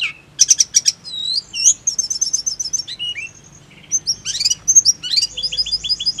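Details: Snowy-browed flycatcher, song used as therapy so birds start singing steadily; a busy stream of high, thin whistles and clicky buzzes, a brief quieter gap midway, then dense scratchy bursts and short repeated notes.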